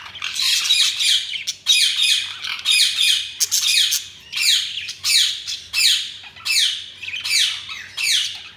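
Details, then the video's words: Budgerigars chirping in loud, dense bursts of high, scratchy twitters and squawks, repeated roughly every second, with a faint low hum behind. "Budgies Sounds| Budgies Chirping sound"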